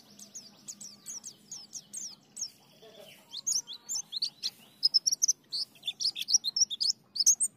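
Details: Ngalas, nembak and ngriwik style white-eye singing: a long stream of very high, rapid, slurred chirps and zipping notes, growing louder and denser, with a faint low hum beneath.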